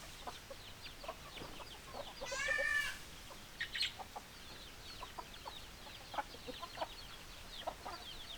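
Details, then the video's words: Chickens in a flock: a steady chorus of high, falling peeps, broken by one louder, drawn-out harmonic squawk lasting about a second, then scattered sharper notes. "Chicken Sounds Noises Hens Clucking Roosters Crowing"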